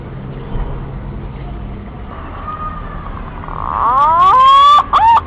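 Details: Male green pigeon call, used as lure audio to bring birds close: quiet background with a faint drawn-out whistle, then a loud cluster of swooping, upward-bending whistles with a hoarse edge near the end.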